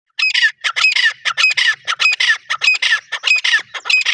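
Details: Grey francolin calling in the jungle: loud, harsh, grating notes repeated rapidly in a steady run of bursts, about a hundred per minute, with no other clear sounds.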